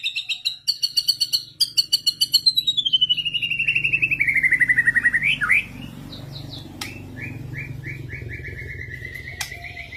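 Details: Murai singing insistently, answering a lure recording: fast stuttering repeated notes that descend gradually over several seconds and end in a quick upslur, followed by a softer sustained whistled phrase, with a steady low hum behind.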